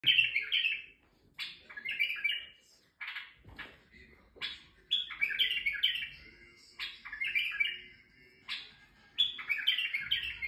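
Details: Male white-eared bulbul in Turkey singing to stimulate females: short bubbly, warbling phrases of liquid notes repeated every one to two seconds, with a faint low knock near the start.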